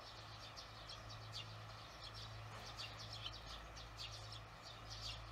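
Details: Barn swallows in the evening, 18 June 2020, recorded after work: a scattered run of sharp, high-pitched chirps that grows busier toward the middle, set against a continuous low hum.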